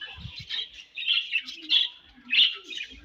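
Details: Budgerigars chirping while eating: warbled chirp bursts roughly every half second, with faint low taps at the start.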